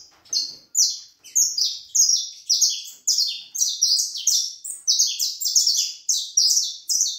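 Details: A saffron finch delivers a steady stream of bright, high, slurred chip notes, roughly one to two per second and gradually quickening, in a quiet room with no other sounds.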